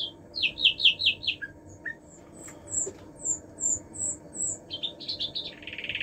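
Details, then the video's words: Common nightingale (Luscinia megarhynchos) song: a quick run of loud chirps, then a high thin whistled series, ending in fast buzzy notes, over a soft background hum. "Luscinia megarhynchos"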